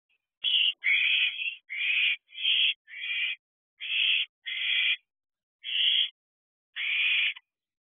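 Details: Owlets at a nest box at night, around 3:22 am on 29 June 2023: harsh hissing screeches, each about half a second long, repeated irregularly with short gaps.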